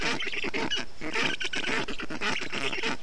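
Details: Black stork chicks in a nest in Estonia on 20 June 2021, calling while a parent cools the nest and storklets with water, moss and wet grass in the heat; dense, harsh, rapidly repeated nasal calls overlap continuously.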